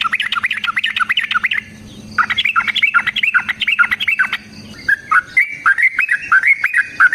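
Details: Sooty-headed bulbul in rapid fighting song used as a lure: dense jumbled whistles, two short pauses, then slower clearer stepped whistles toward the end.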